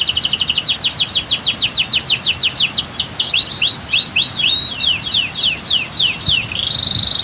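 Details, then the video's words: Canary in a natural spot by a waterfall and dam, singing quick repeated notes that turn into looping slurred whistles and end in a steady trill, over faint rushing water. "Masteran Kicau KENARI Terbaru 2022 Makin mantap dan Rame"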